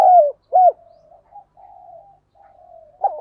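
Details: Decoy spotted dove used to stir wild doves: a long falling coo note and an arched hoot, followed by extended soft low murmuring and the start of another hoot.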